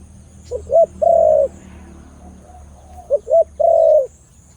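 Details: Khmer dove with a big sound repeats its coo twice. Two brief clipped notes run into a drawn-out, full, level coo, and the second phrase follows about two seconds after the first.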